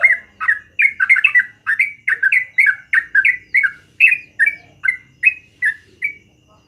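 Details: Morning song of a yellow-vented bulbul, long and lively: quick chattering bursts of liquid, downslurred notes, crowded at first, then spaced more evenly and fading near the end, with a faint low hum behind.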